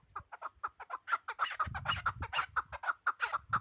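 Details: Chukar partridge, the Pamir bird called the finest of partridges, delivering a brisk run of harsh repeated chuk notes, about two per second, accelerating slightly, over faint low rumbling.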